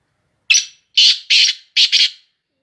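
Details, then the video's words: Black francolin of the Sindhi Shadidi breed calling: one harsh, grating note, then a pair of loud raspy notes, then a quick double note, all within two seconds against a silent background. "کالا تیتر کی آواز ویڈیو سندھی شدیدی نسل کے کالے کی تیتر کی بولیاں"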